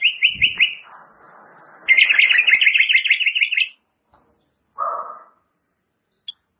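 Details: White-rumped shama training song for caged birds: rapid trilled phrases repeated several times a second, a few sharp high notes, then a lower burst and one clipped note after a pause.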